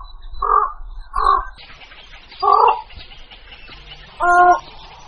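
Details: Javan pond heron calls used as a lure: four harsh, hoarse squawks with layered overtones, spaced about a second apart, over a faint low background rumble.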